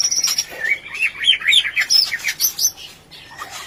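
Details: Rencetan-style white-rumped shama sound played as a lure to spark breeding lust: a thin high whistle, then a fast, tumbling chatter of rising and falling chirps that fades toward the end.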